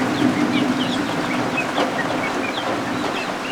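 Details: Newly hatched helmeted guineafowl keets under an indoor heat lamp peep in quick, high, thin notes, several overlapping rapidly, while rain and thunderstorms hiss outside over a low hum.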